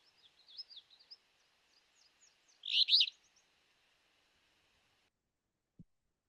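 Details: Alder flycatcher giving one short, burry, rough phrase, described as weebio or rebeor, midway through. Faint thin warbling notes from a common yellowthroat sing in the background at the start, then near-silence follows.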